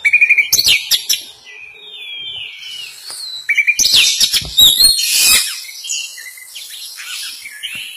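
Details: Juvenile white-rumped shama learning its song: a rapid run of high chirps opens, then a long sliding whistle, dense chattering bursts and fading trills, with occasional faint clicks.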